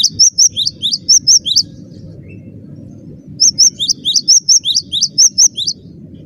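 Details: Persistent song of a cinereous tit, two dense bursts of bright, high chirped notes, each burst about a second and a half long, separated by a quiet gap, with a faint low rumble underneath.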